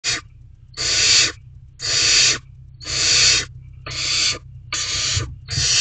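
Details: Barn owl at a nest box at night, 9:18 pm on 7 May 2023, around a mouse being swallowed whole; harsh broadband hissing screeches about half a second long, repeated roughly once a second, with a low steady hum underneath.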